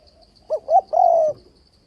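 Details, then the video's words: Decoy spotted dove call for dove trapping: one short coo, a slightly rising note, and a prolonged wavering coo, with a quiet high insect-like pulsing behind. "Tiếng cu gáy kích bổi bẫy đấu ,//tiếng chim cu gáy đảo giọng kèm bo liên tục"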